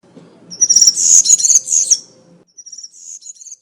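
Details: European serin singing the country 'campero' style in woodland, intended for training young birds: a sharp, high, sizzling jingle lasting about one and a half seconds, followed by a few thinner twittering notes over faint low rumble.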